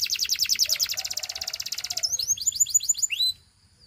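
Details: Belgian singing canary singing a rapid high trill for two seconds over a softer lower rolling tone, then switching to spaced, sliding whistled notes before stopping.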